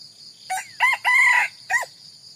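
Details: Red junglefowl crowing, in a recording connected to junglefowl decoying: a loud crow in four harmonic-rich segments, the third long and sustained, over a steady high insect drone.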